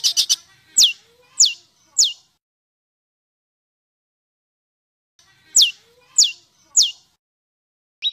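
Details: Songbird in a masteran recording of rough 'besetan kasar' sounds, used to train caged birds at home and for contests: three sharp notes, then a few loud downward-swept calls, a long silence, and a second set of three sweeps.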